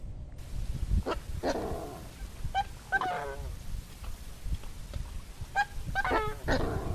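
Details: Coscoroba swan giving its song: a run of short nasal honks with stacked harmonics. Some are sharp and clipped, others longer and downslurred, in loose bursts roughly every second, over a steady low rumble of background noise.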